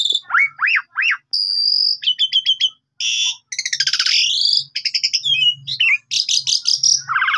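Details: Lure singing of an Asian pied starling for tutoring other birds: three looping whistled notes, a steady whistle, quick stuttering clicks, harsh rasping trills and a final rising whistle, over a faint low hum.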